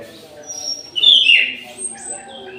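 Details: An orange-headed thrush in an aviary at midday sings a single loud, slurred whistled phrase that drops in pitch, with faint high thin notes and a low hum around it.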